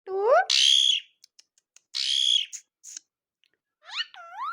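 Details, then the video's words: Pahadi parrot (pet mitthu) gives rising, rubbery whistles, then two loud, harsh, drawn-out squawks about a second apart, ending with looping whistled notes; funny sounds. "Real funny sounds:- Pahadi Parrots"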